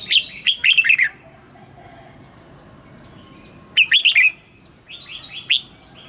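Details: Morning song of a caged red-whiskered bulbul, sung in wild-style double notes for training: two quick bursts of bright fluted whistles with a pause between, then a softer series of short chirps.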